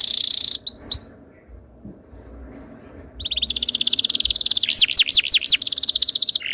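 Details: Canary singing a tutor song meant to make other canaries sing: a brief buzzy high note and quick rising whistles, a pause, then fast repeated trilled syllables and looping swept notes near the top of the range.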